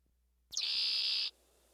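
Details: A Red-winged Blackbird, a loud marsh bird in summer that attacks people near its nest, gives its 'conk-a-ree' song: a quick sharp opening note, then a harsh buzzy trill held under a second. No other sounds.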